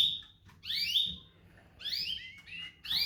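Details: Domestic canary calling: quick upward-sweeping whistles in three short bursts, one ending in a flat, steady high note, separated by brief pauses.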